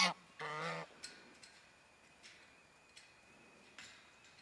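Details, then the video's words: Rescued geese, four newly arrived at a sanctuary in February 2012, excitedly honking while checking out a large pond and pasture: two brief harsh honks at the start, then quiet with scattered faint clicks. "Four rescued geese making a joyful noise"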